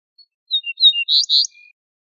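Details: Ortolan bunting (Emberiza hortulana), a wild bird, singing a short high phrase: a few thin, brief whistled notes, then two louder, buzzy, ringing notes in quick succession, ending in a faint trill. The background is quiet.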